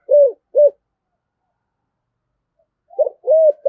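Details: Spotted dove call, deep-voiced style used as a lure for wild doves: two short arched coos, a long silence, then a stuttering note and a longer coo, with a clipped note at the end.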